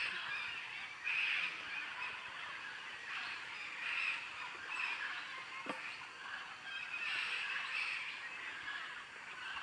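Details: A flock of macaws preparing to descend on a clay lick by the Tambopata river gives harsh, raspy squawks overlapping into a near-continuous chorus, with louder bursts every second or two.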